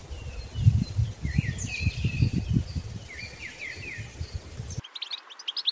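A Mistle Thrush gives short, slurred fluting whistles, rising and falling, over low rumbling wind; a burst of higher chirping notes follows at the end.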